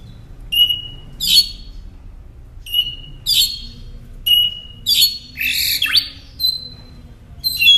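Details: Northern mockingbird singing, intended for training caged songbirds: high, piercing whistles and harsh squawky bursts alternating in repeated phrases, then a raspy downward sweep near the end.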